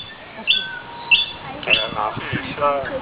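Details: A common hill myna, a talking bird that can whistle and mimic, repeats sharp high chirps about once a second. Faint whistled tones and harmonic chatter follow.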